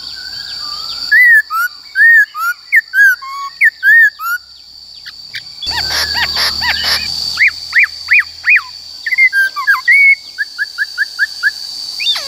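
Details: Black-throated laughingthrush in forest-style song, used to shape the voices of wild-caught and young birds: long bursts of varied whistled, slurred notes, a noisy patch partway through, then rapid rising whistles and quick chips; a continuous high whine underneath.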